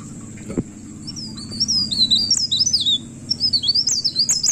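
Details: Pied bushchat singing at midnight, rolling ngerol song: after a stretch of low background rumble, a thin high whistled warble starts at about two seconds and grows louder with quick up-and-down twists.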